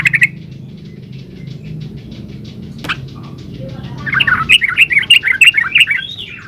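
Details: Lure recording of a yellow-vented bulbul meant to make others reply: after a short burst at the start and a long quiet gap with a single click, a quick bubbling run of warbled, chirpy notes bursts out near the end.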